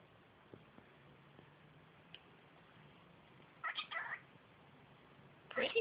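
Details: A five-month-old female pet cockatiel talking indoors: quiet room, then a short, squeaky two-part spoken-like phrase, followed moments later by another brief rasping burst at the end.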